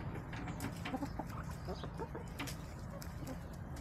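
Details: Hens in a backyard flock on a March day, a run of short low clucks at irregular spacing, several in quick succession, over a constant low rumble and faint clicking sounds.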